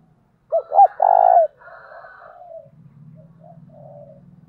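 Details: Spotted dove in a decoy recording for luring wild doves, giving an intense 'thổ' style coo: two short rising notes, then a long buzzy note, followed by softer trailing coos and a low hum.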